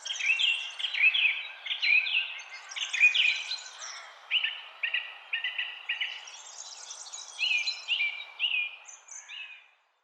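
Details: Birdsong from a forest in spring and summer: continuous bright warbling with repeated short whistled notes and chirped phrases, several birds overlapping, steady through the recording.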